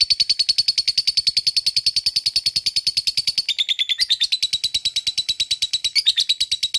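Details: Lovebird's long ngekek trill, meant to stir other lovebirds into song: a steady, machine-gun run of sharp high notes, evenly pulsed and unbroken for about seven seconds, with a slight drop in pitch midway.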